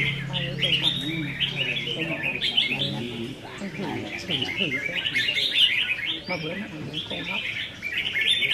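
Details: Red-whiskered bulbuls in cages sing against one another in a contest practice on 15 May 2021. Continuous tumbling, whistled chatter is joined midway by a man's murmured talk and a low hum.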